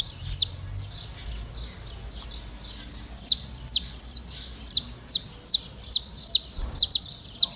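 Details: Saffron finch from Brazil starting with a soft, buzzy high warble, then switching to loud, steady, down-slurred chips at a brisk pace of roughly two to three per second.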